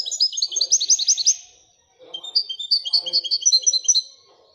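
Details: Moroccan goldfinch singing Wedania style, rising clusters of quick chirping notes, a pause, then a long, even series of paired twitters, with faint low rustles underneath.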